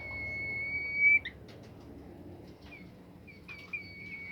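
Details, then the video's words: Bimoli bird song played so that other bimoli birds will sing. A long pure high whistle ends in a short flick, then faint ticks and a second whistle start softly. "burung bimoli lain nya akan ikutan gacor"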